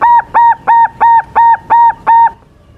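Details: Young silver zebra dove in strong song, a lure to prompt rivals to answer: seven loud, clean, evenly repeated cooing notes in quick succession, then quiet.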